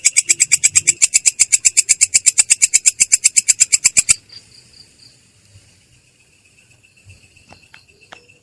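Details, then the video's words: Long-tailed shrike in a clear, harsh rolling song, rapid evenly spaced rasping notes for about four seconds, then stopping abruptly and leaving faint background noise and a few scattered soft clicks. "belalang kecek ngerol!!! suara jernih kasar"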